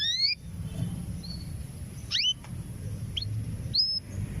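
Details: Female canary ready to mate, calling for a male: sparse high whistles, a rising sweep near the middle, then a brief flat note, separated by quiet stretches of low background noise.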